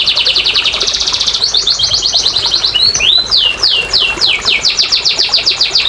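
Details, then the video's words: Canary in full song, used as therapy for quiet canaries: a quick buzzy trill, a pause with a few rising notes, then a series of strong falling whistles repeated rapidly. "TERAPI & PANCINGAN BURUNG KENARI MALAS BUNYI"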